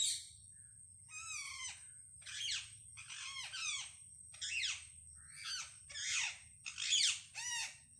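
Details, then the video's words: Wild parrots communicating with varied calls: about eight harsh squawks, each a rough, layered screech that often sweeps downward, spaced roughly a second apart. A constant faint high-pitched whine is also present. "Unbelievable sounds of parrot -amazing wild parrot sounds"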